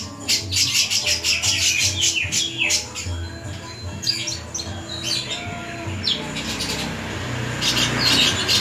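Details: Long-tailed shrike (cendet) giving its '1000 suara' thousand-voice song: bursts of harsh, scratchy notes and rapid chattering trills, with pauses between phrases and a low background hum.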